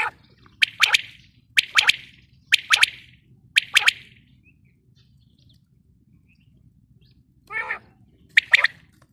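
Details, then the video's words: Female common quail (batair) calling: sharp, clicky paired and tripled notes repeated about once a second, with a brief buzzy rattle near the end and a quiet background. "female quail sound"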